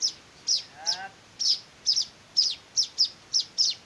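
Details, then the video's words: Hand-fed weaver chicks give piercing chirps, single and doubled, about three per second, with a brief soft wavering tone near the first second. "meloloh anakan burung Manyar"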